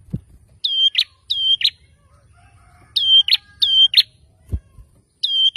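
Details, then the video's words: Challenge song of a male bar-winged prinia provoking opponents: high even whistles each snapping into a buzzy trill, delivered in twos and threes separated by a pause of about a second, with occasional low thuds. "SUARA PRENJAK JANTAN GACOR NGOTOT BIKIN LAWAN CEPAT NYAUT"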